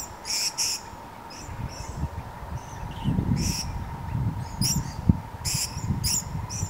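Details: Purple-crowned lorikeets feeding rapidly on nectar in Numurkah, Australia, in 2015, give short, shrill, high screeches in quick bursts, several in a row, over a steady hum and low rumbling background.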